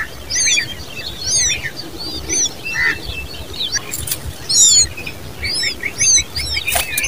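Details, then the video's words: Common babbler babies giving sharp, high chirps in quick clustered bursts, irregularly spaced, with a lower buzzy note and a few clicks or rustles in between. "Common babbler birds babies with sound"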